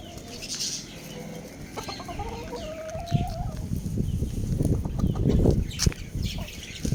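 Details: Young Lohmann Brown rooster gives a brief, thin, wavering crow attempt amid soft clucks, scratching and rustling from a small flock of young roosters playing and eating.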